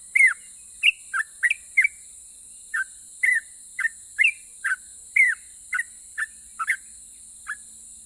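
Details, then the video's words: Sooty-headed bulbul singing to provoke answers from other bulbuls: spaced, short whistled notes roughly once a second, alternating higher and lower slurs, with brief gaps between phrases. "KICAU SUARA trucukan gacor Ropel pajang ini RAJANYA BIKIN NYAUT trucuk lain"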